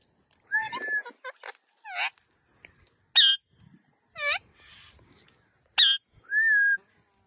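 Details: Pet talking rose-ringed parakeet, or ringneck, making a sequence of harsh downward-sweeping squawks roughly every second, mixed with short whistled notes and a final sustained flat whistle.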